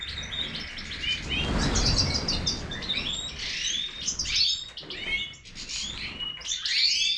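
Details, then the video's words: Major goldfinch song of quick high chirps and rising slurred notes, interrupted early by a low rumbling bump before the twittering resumes. "Stieglitz Major -Goldfinch طائر الحسون الرائد"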